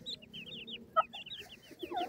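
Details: Feeding grey francolin chicks, known locally as dakhni teetar, give rapid high peeps, short downslurred notes tumbling over one another in a steady stream, with a sharp tap partway through and faint low rumble beneath.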